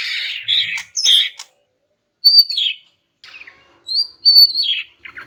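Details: Greater green leafbird female call meant to get silent males singing: a harsh buzzy burst, then clear high whistles that slide downward, repeated twice after pauses of about a second.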